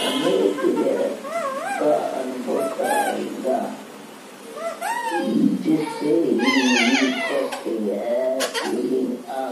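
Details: Young Alexandrine parakeet singing a busy run of rapid, wavering whistled sweeps and chirps that bend up and down, mixed with low warbling chatter, nearly three notes a second.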